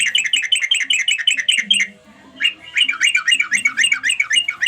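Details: Lively, fast chattering notes, rich and buzzy, come from a sooty-headed bulbul calling to companions. After a brief silent gap, a second run of notes follows at the same quick pace.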